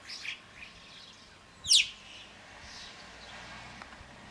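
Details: Yellow-billed chough in the mountains of the French Alps giving one loud whistled call that sweeps steeply downward. Fainter high, thin calls come before and after it over a quiet open-air background.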